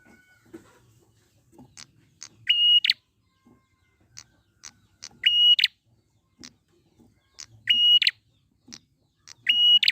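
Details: Wild prinia lure recording. Scattered dry ticks alternate with four sustained whistled notes, each ending in a rasping buzz, roughly every two to three seconds.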